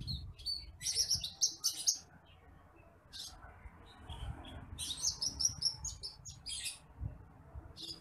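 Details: Bush lark known locally as branjangan apung (titimplik), a rice-paddy bird, in a recording for training other birds: two flurries of high, fine, rapid chirping notes with scattered single chirps between them and low background rumble.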